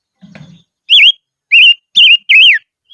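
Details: Highland decoy silver-eared mesia in song: a low rustling thud, then four bright wavy whistles delivered quickly, the last one sliding downward.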